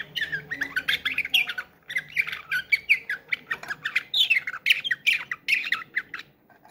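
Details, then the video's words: Canary singing a bülbül-style slavujar song, recorded in Ankara in 2023: a continuous stream of rapid, rolling, buzzy trills and warbled notes, sliding up and down, with brief pauses between phrases. "SLAVUJAR BÜLBÜL ÖTÜMLÜ KANARYA"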